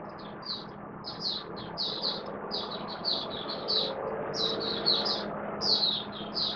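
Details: Hobby-kept caged oriental white-eye, 11 September 2022, form dipped a little, giving a continuous stream of high, quick twittering chirps in buka (opening) song over a steady low rumbling hum.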